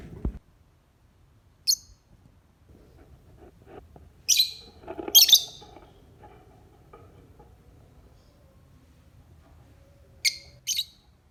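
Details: Lovebird sound for the morning, used to lure singing: spaced bursts of sharp, high chirps, some doubled, with low rustling and clatter between them and a thump at the start.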